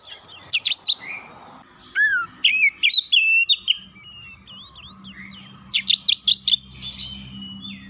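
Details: Oriental magpie-robin singing to provoke a rival, with varied phrases of rapid sharp chirps, sweeping whistles and quick trills in bursts separated by pauses, over a low background hum.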